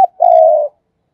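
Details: Caged decoy spotted dove giving a single loud, low, steady coo of about half a second after a brief opening note, with silence around it.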